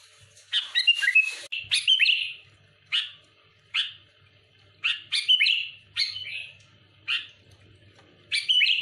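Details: Sooty-headed bulbul singing to agitate rival bulbuls: loud, short whistled phrases with quick downward slurs, delivered about once a second, the opening burst richer and more tangled.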